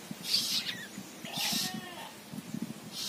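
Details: Young long-tailed shrike singing outside its cage: two loud hoarse, hissing bursts roughly a second apart, each followed by a softer sliding whistle, above soft low tapping and thumps.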